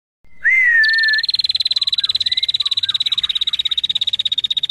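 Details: Singing female bar-winged prinia: a brief rising whistle leads into a sustained, machine-like trill of rapid high ticks lasting several seconds, steady in pitch and tempo.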